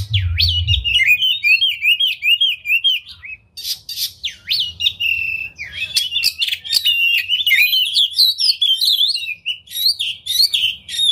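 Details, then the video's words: Oriental magpie-robin singing hard with its tail spread, a lure for rousing rival magpie-robins: rapid, varied whistles, trills and scratchy chips poured out almost without a break, bright and high, with only faint background noise. "Pancingan Kacer Gacor Buka Ekor Lagu Unik! Bagus Buat Menaikan Emosi Kacer Lain Agar Gacor"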